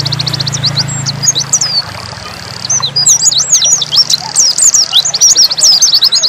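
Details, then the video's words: Oriental white-eye of the dakun type singing in nembak style: a rapid, high stream of thin chirps, upward flicks and short buzzy trills, about three notes a second, over a low hum in the first half. "pleci dakun nembak"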